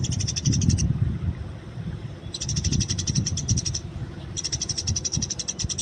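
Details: Wild Eurasian tree sparrow, labelled as fighting: three bursts of fast, evenly repeated high chirps, each about one to two seconds long, separated by brief silences, over low background rumble.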